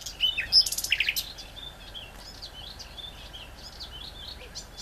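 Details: Great reed warbler singing: a loud burst of harsh, grating, buzzy strokes and short whistled notes in the first second, then fading to faint scattered chirps over steady background hiss.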